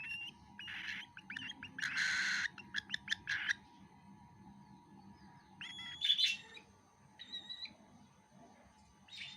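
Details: Cockatiel chick during feeding, making short chirps and a louder raspy squawk, followed by a few higher, thin whistled notes and scattered clicks.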